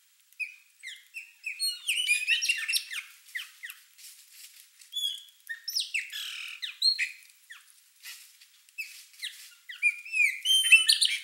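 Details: A flock of Chopi blackbirds at a feeder calls and sings together: a continuous jumble of short whistles, squawky notes and sharp downward slurs, with many birds overlapping in irregular bursts.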